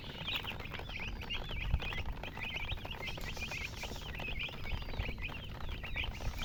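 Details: Baby chicks chirping busily, clear high peeps that rise and drop, tumbling one after another several times a second, over a low rumble and scattered taps.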